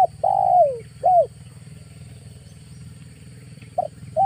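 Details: Spotted dove cooing as an August lure call. A long falling coo and a short hoot come first, then a pause, then two quick clipped notes. Continuous low rumbling hum throughout.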